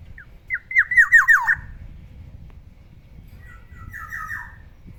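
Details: Pet black-naped oriole in the morning giving a rapid series of harsh, downward-slurred squawky notes, about six in quick succession, followed after a pause by a softer, fainter run of similar notes.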